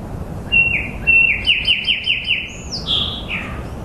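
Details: Bright bird song: paired opening whistles, then a rapid chain of descending chirps, finishing with a high gliding note that drops to a lower slur, against a steady low rumble.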